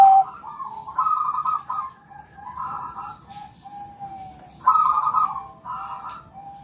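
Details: Champion Bangkok-type zebra dove, played to make other birds reply, gives a rolling, fluttering coo of stacked mid-pitched notes, pausing and then repeating the phrase, ending on a steady tone.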